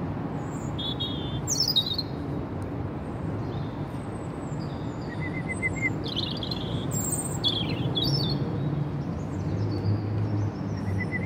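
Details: In a rainy park a female robin coming for food sings scattered high, thin, sliding phrases and brief trills, rising and falling, set against constant low rumble from rain and distant traffic.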